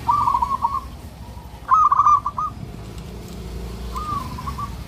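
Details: Loud local zebra dove seeking a mate: trilled cooing phrases, the middle one strongest and rolling, the others fainter, against steady background noise.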